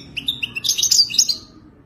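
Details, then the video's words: Brief phrase of European goldfinch wadani-style song: a few separate high chirps that build into a fast, bright, buzzy twitter and then fade out. "التغريد الوداني الاصيل"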